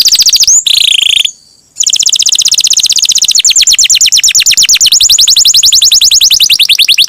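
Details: Singing canary used to provoke others into song: a short buzzy phrase, a brief silence, then one long steady trill of quick high notes running for about five seconds.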